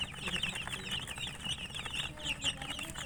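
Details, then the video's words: Short burst of chicken chicks peeping, thin high chirps repeating rapidly over a fuzzy background hiss. "Murgi chicks Chirping sounds"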